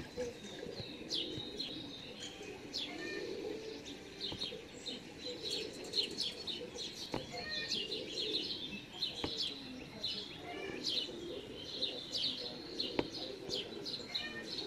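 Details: Great spotted woodpecker young in a home garden on 13 June 2019, begging as a parent feeds them: a dense, high, scratchy chatter of begging calls over a soft low rumble.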